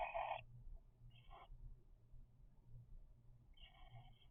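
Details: Cockatiel chicks aged three weeks giving brief raspy, hissing begging calls: a loud opening burst, a short fainter one, then a longer rasp near the end, with quiet low hum in the pauses.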